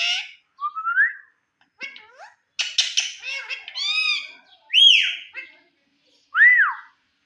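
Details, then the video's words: A talking Indian ringneck parrot gives loud, harsh, speech-like phrases and squawks with rich overtones, broken by brief pauses, finishing with two strong arched whistled notes. "Indian Ringneck Parrot Talking"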